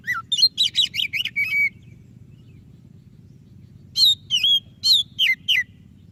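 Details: Kacer dada putih, the white-rumped shama, gives a fast series of sweeping whistled notes, falls silent for two seconds, then sings clear looping whistles again over a low background hum; meant to prompt a lazy shama to sing.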